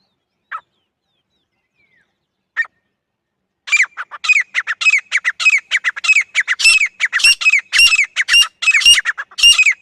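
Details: Desi grey francolin calling: two brief isolated notes, then from about four seconds a loud, harsh, shrill series of repeated squawking syllables that rise and fall, delivered in quick irregular succession until the end.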